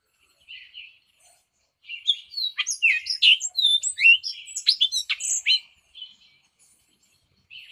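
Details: Hispaniolan oriole of Hispaniola, between the Dominican Republic and Haiti, delivering a few soft opening whistles, then a long rapid tumble of sharp, slurred and chattering high notes lasting several seconds, then quiet.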